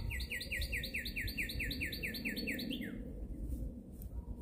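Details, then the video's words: Bird song: a loud, quick trill of repeated downslurred whistled notes, about two per second, ending in a longer falling note, then background room noise. "bird song"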